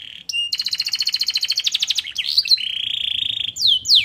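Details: Canary singing song filled with white-eye (pleci) material: a rapid series of repeated downslurred high notes, then a buzzy whistle twisting upward, a long steady high buzzy note, and sharp descending whistles at the end.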